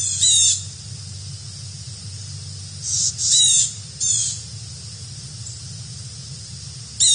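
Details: One of two visiting Carolina wrens gives harsh, buzzy chatter bursts, about half a second each, in loose clusters a few seconds apart over a low steady hum.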